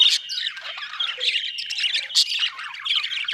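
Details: Short burst of Australian budgie chatter, sharp squawks and scratchy, high chirping warbles in quick succession with no other sounds.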